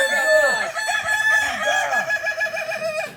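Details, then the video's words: Kukuak Balenggek rooster, an ornamental chicken native to Solok, West Sumatra, at a practice session; a continuous crow of rapid arched syllables rising and falling, about four per second, bright and harmonic throughout. "ayam kukuak balenggek"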